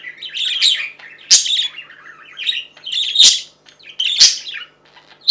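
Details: Female and male budgerigars chatter in a busy warble of rapid chirps, with sharp louder squawks breaking through.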